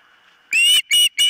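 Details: Osprey at the nest, recorded by a nest cam: after a low quiet hum, three loud, piercing whistled cries follow each other closely, each short and strongly harmonic.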